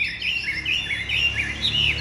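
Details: Caged Chinese hwamei with pure white wing feathers sings a continuous run of bright whistled warbles, rising and falling phrases running together at a rapid pace, with a faint low hum beneath.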